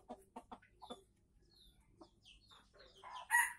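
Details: Red junglefowl of Aceh, recorded as an original lure for birds: a few soft, low clucks in the first second, then sparse faint notes and the start of a louder crow at the very end.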